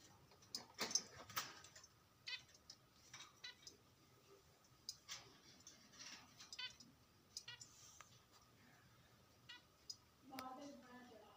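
Zebra finch giving short nasal, toy-trumpet-like beeps among sharp clicks and taps.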